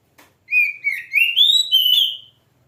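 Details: An oriental magpie-robin gives one continuous whistled phrase that climbs in steps, with slurred notes running into a rich warble before fading.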